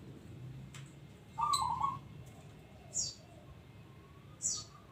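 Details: Local zebra dove giving a single bubbling coo phrase against steady low background noise, followed by two faint, high squeaky chirps.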